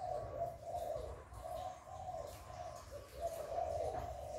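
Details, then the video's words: Spotted dove cooing in the hạp bổi voice, played to stimulate kept doves. Short rounded coo notes come in quick pulsing groups, with a brief pause midway. Light low background hum. "Tiếng Chim Cu Gáy Giọng Hạp Bổi CHIÊU THÚC BỔI. kích bổi nhanh nổi"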